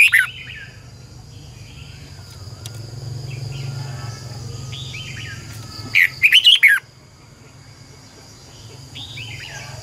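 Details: Decoy red-whiskered bulbul singing to coach other birds in morning training: a brief warble at the start, scattered soft chirps, then a loud twisting burst of rich notes around six seconds, all over a constant low hum.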